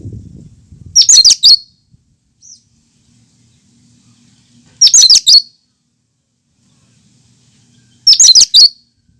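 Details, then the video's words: Cucak kinoi in full, lively natural song without mimicked phrases, used to prompt and lure other birds: three loud, harsh, rapid chattering bursts about half a second long, spaced roughly every three and a half seconds, with a faint low rumble early on. "Suara asli cucak kinoi"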